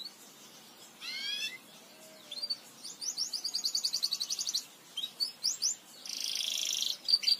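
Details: Belgian canary song for teaching canaries: soft high phrases, a short series of rising notes, then a rapid even trill and a harsh buzzy burst near the end, with quiet gaps between phrases.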